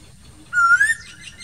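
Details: An Asian koel calling in summer among green trees gives one clear, rising whistled note that swells then fades, over a faint low rumble.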